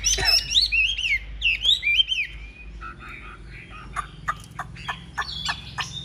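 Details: During a fighting display with spread wings, a big-bodied Chinese hwamei delivers loud swooping whistled phrases, then a run of sharp clipped notes and chirps.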